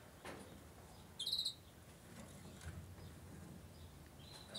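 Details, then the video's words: Incubating White-winged Crossbill (Two-barred crossbill, Loxia leucoptera) giving a quick cluster of bright, high chips, then a fainter note near the end against a quiet background. "Piquituerto franjeado incubando (Loxia leucoptera)"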